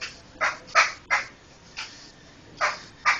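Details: Laughingthrush chatter used as a master recording for training other songbirds: harsh, broadband rasping bursts repeated irregularly about every half second, with short quiet gaps between them.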